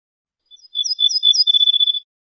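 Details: Song of the ortolan bunting, a wild bird: after faint opening chips comes a rapid, regular string of high, clear whistled notes lasting about a second and a half, heard alone.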